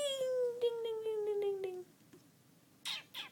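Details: Pet African grey parrot indoors, acting feisty while poking about in a desk drawer: a long, smoothly falling harmonic tone with faint clicks over it for nearly two seconds, a pause, then two short harsh raspy bursts.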